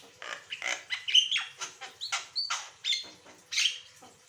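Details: Lively Asian pied starling song for prompting other birds to sing, a series of about ten rough, buzzy notes spaced roughly every half second, several capped by short pure whistles.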